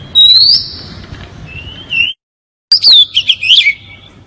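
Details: Oriental magpie-robin song used as a lure: loud, clear whistled notes sliding high then dropping, a short pause, then a burst of rapid, varied chirps and trills, over faint low background hum.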